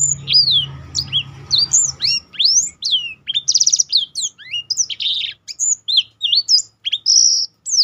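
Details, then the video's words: Black-throated canary in full song for training other songbirds, pouring out sharp descending whistles, dense buzzy bursts and chattering notes without pause; soft low rumble early on. "burung blackthrout lain pun ikut tergoda berbunyi"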